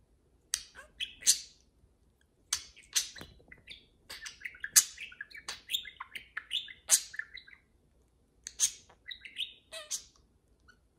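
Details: Pair of pet parakeets talking and playing indoors: busy bursts of chirps, clicks and rapid warbling notes, separated by brief pauses of near silence, one bird dominating the chatter.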